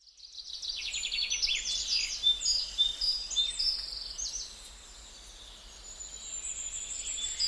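Gouldian finches give very high, thin chirps and rapid trilled notes in dense, overlapping bursts, with a faint steady hiss behind them.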